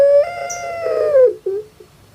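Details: ['Captive puter pelung dove from Java, Indonesia, its call likened to a crying baby: one long, smooth, slightly wavering coo that sags and fades, followed by a brief soft note.']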